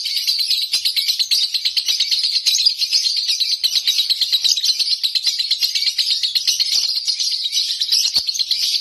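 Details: Lovebird kept at home delivering continuous konslet singing, a shrill, tightly packed chatter of quick repeated notes that never pauses.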